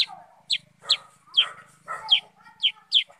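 A sooty-headed bulbul gives a quick run of bright, clipped, down-slurred whistles, about two per second, over some softer chattering notes.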